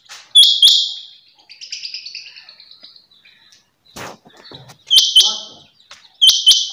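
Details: A quail, tagged as a female rain quail, gives loud, harsh paired bursts, two rasping notes in quick succession, repeated every few seconds, with softer chirps and faint rustling between.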